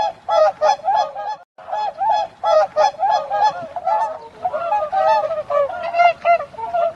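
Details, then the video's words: Swans give loud, nasal honking calls, several birds overlapping in quick bursts with a brief pause before the calling resumes. "Tunog ng SISNE | Sound of SWAN"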